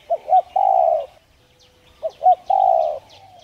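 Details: Two coo phrases from a spotted dove, each two brief bent notes followed by a long steady coo, used to urge a newly captured dove to start cooing; faint chirps high above.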